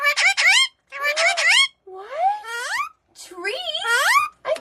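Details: An Alexandrine parakeet (Psittacula eupatria) talks in four short, speech-like phrases, roughly one per second, with high, rising, squeaky syllables and brief pauses between them.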